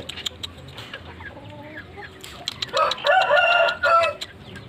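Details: Pelung chicken, a rooster with a very long lower comb, giving a harsh, loud drawn-out crow in the final two seconds, preceded by quieter clucking and background bird chirps.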